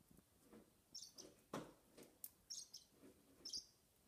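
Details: A six-week-old Bourke's parakeet chick, still begging to be fed while its father feeds young on the back perch, gives thin, high, wheezy chirps in short bursts about once a second, with soft clicks and rustles.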